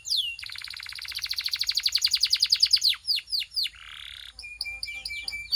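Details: Belgian canary singing as it warms up: a long accelerating rattling trill building in volume, a few downward swoops, a soft hissing note, then short clipped notes.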